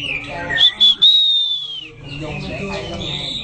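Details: White-rumped shama singing in a training session: a few short, bright whistled notes, then one long, clear, slightly arching whistle of about a second. After it come softer trailing notes over faint background murmur.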